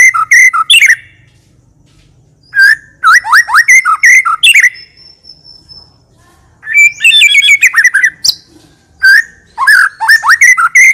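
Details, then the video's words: White-rumped shama in persistent, richly varied song of the full isian style, used to prompt other shamas to sing: bursts of loud whistled and fluttering notes around mid pitch, with sharp high flourishes, broken by two quiet pauses. "MURAI BATU PILIHAN GACOR TERUS FULL ISIAN MEWAH FULL TEMBAKAN DURASI"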